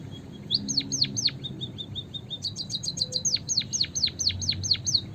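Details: Eurasian tree sparrow lure for trapping: a few falling chirps and soft chips, then a rapid ticking burst leading into a lively run of about eight sharp, high downslurred chirps.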